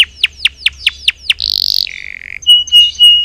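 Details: A canary's song meant to coax idle canaries into singing: six quick down-slurred chips, then a buzzy high trill, a lower steady buzz, and clear loud whistled notes.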